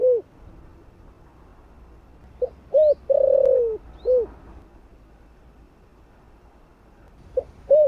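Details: Spotted dove, 'thổ' voice, used as a lure. A full low phrase: a soft clipped note, a short coo, a prolonged rough downward coo and a closing coo. A new phrase starts at the end, with faint high chirps between.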